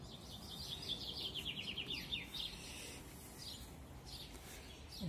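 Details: Captive goldfinches singing in an aviary enclosure in a village: a fast, high, tinkling twitter of bright chirps over the first two seconds, then fainter, over a steady low rumble of background noise.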